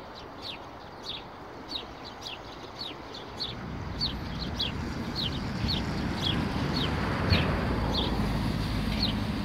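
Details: Sparrows in bushes near Vavilova street, 12 April 2019, give loud, clear, falling chirps repeated about every half second, while a passing vehicle's rumble grows louder in the second half.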